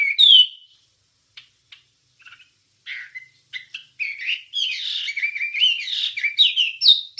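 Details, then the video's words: Wambie song used as training material for songbirds: one sharp whistled note, a few faint clicks, then a dense warbling stream of mixed chirps and sliding whistles that grows louder toward the end. "Ocehan Suara Burung Wambie"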